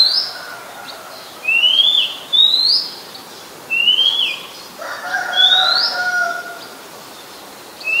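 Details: Oriental magpie-robin, a very common resident, singing in Ubon Ratchathani, Thailand, on 17 July 2021: clear rising whistled notes spaced a second or more apart, with fainter lower drawn-out whistles from another bird beneath.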